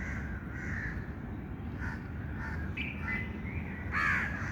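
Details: Several short raspy bird calls with hoarse, caw-like bursts come at irregular intervals, ending in a louder harsh note, all against a continuous low background rumble.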